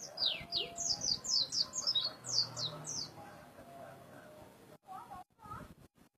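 A white-eye sings a rapid series of high, thin, downslurred notes, about two per second, followed by softer chattering twitters with faint background murmur.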